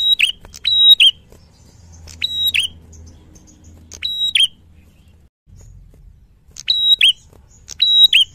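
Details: Red-headed tit singing in loud, clear gacor fighter style as a tutor recording. Four to five brief repeated phrases, each a sharp click-like onset, a held thin whistle, then a dropping slurred note, separated by pauses of one to two seconds. Low background hum.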